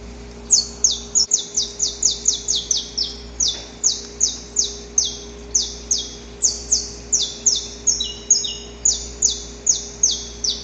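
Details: Saffron finch recorded in the wild: a fast run of high, thin, downslurred notes, about three per second, some paired or doubled, continuing steadily over a faint steady low hum.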